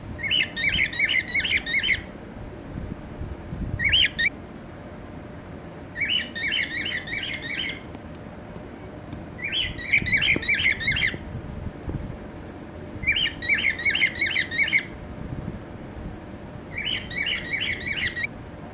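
A cockatiel gives harsh, squawky calls in short bursts, repeated every couple of seconds.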